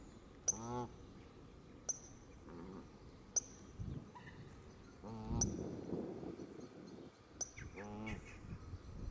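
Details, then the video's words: A flock of Canada geese surrounds the camera on green grass at the water's edge, where they came in to feed. Several birds give loud, nasal honks in uneven bursts, calling over one another, with wing flaps and church bells ringing. "Canada Geese Frenzy"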